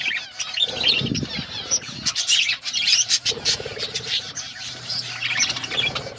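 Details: Budgerigars chirping while eating: lively, overlapping high twitters and scratchy warbles with occasional sharp squeaks, continuous throughout, a soft low hum behind.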